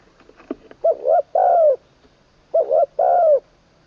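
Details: Decoy spotted dove under training, third session, with a full middle voice: soft clicks, then two matching cooing phrases about one and a half seconds apart, each two short notes and a long descending coo.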